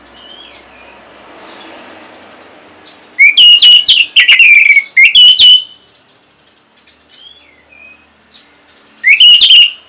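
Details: Orange-headed thrush singing to coax other birds into song: loud bursts of rich, slurred whistles in clustered phrases, soft thin notes in the gaps, a final burst near the end.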